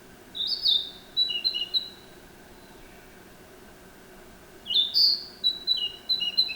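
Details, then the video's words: Narcissus flycatcher singing: two clear whistled phrases, each opening with a rising note near the top, then a string of short bright notes alternating between two pitches, separated by a pause of about two and a half seconds. "キビタキの鳴き声 (さえずり)"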